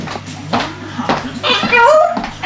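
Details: Rio, a 12-month-old African grey parrot (Psittacus erithacus) that mimics words, barks and a microwave, talks indoors: a few quick speech-like syllables, then a bright rising whistled note, over a steady low hum.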